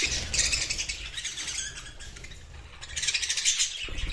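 Budgerigars chattering in a busy stream of high, buzzy warbles and quick chirps.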